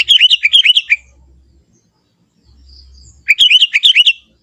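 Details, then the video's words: Sooty-headed bulbul, young, from forest habitat, singing its own natural song: two bouncy phrases of quick fluty notes, each about a second long, separated by two seconds of silence. "suara kutilang muda hutan gacor suara asli tanpa isian"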